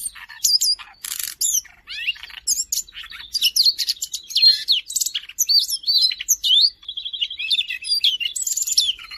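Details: Siberian rubythroat recorded in Jakarta on 5 March 2025, singing continuously as a tutor for other songbirds: a dense, varied song of sharp whistles, scratchy buzzes, rising and falling slurs and fast rattling notes with only brief pauses.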